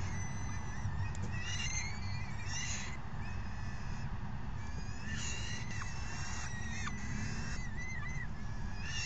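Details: Falcon nestlings begging as parents bring and share out a meal, 3 June 2018; a series of thin, wavering whistled screeches, some sharply dipping, repeating in overlapping bursts through the clip over a low droning hum.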